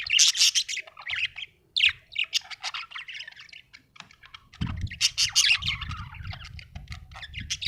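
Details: Happy budgerigar chirping: a busy stream of scratchy, bright chirps and squeaky chatter, briefly pausing midway, with a low hum entering in the second half.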